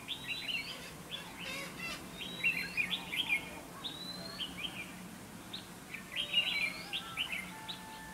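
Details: Red-whiskered bulbul singing as a decoy in a trap to provoke fighting; bright warbled phrases of rapid rising and falling whistled notes, delivered in bursts with short pauses, over a faint steady background hum.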